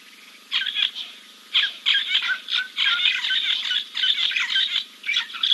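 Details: Giant kingfisher preening after a dip at King's Camp, 2 April 2024; after a brief quiet start, scratchy rattling bursts follow one another almost continuously, with a steady high hum beneath.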